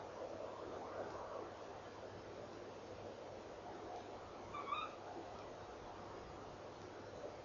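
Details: Female tawny owl outside her nest box before dawn, 04:33 on 3 December 2013, calling between feeding and flying away; a single brief upward-inflected call midway, fainter, set against constant electrical hum and broad hiss.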